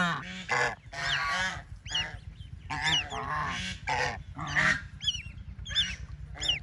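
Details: Ducklings at play in water make a busy run of shrill upturned peeps, broken up by loud nasal honk-like calls and short gaps of quiet.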